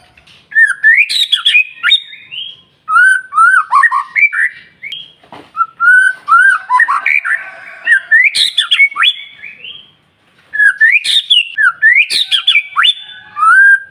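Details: White-rumped shama song used to provoke other birds into singing in the morning: loud whistled phrases with rising and falling notes, buzzy rattles and sharp upslurs, delivered in bursts separated by short pauses.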